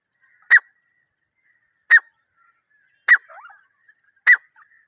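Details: Partridge (teetar) in the wild jungle, recorded without editing: four sharp, clipped squawking notes spaced roughly a second and a quarter apart, with a faint warbling trace after the third, otherwise silence.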